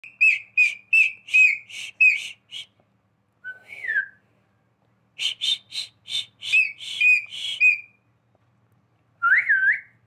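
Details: Pet talking parrot whistling like a human: a run of rapid pulsed, bright whistle notes, then a short slurred falling whistle, another fast pulsed series, and a final looping rising-falling whistle, indoors with no other sounds.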